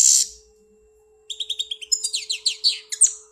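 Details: European goldfinch from Algeria kept as a pet: a buzzy burst, then a quick run of repeated chirping notes rising into rapid tinkling twitters.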